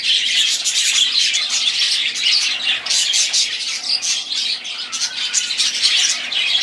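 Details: Several budgerigars in a recording of their song: a dense, continuous warbling chatter of high chirps and squawks, rising and falling in loudness without pause.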